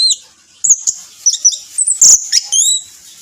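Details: Orange-headed thrush song as a lure: short high whistles and chips in a quick, irregular series, a brief rustle in the middle, ending with a clear two-part whistled note.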